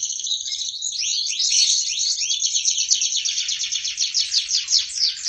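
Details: Prize-winning canary in full lively song, pouring out dense high rolling trills that shift from sweeping slurs into a fast, even rattle-like series.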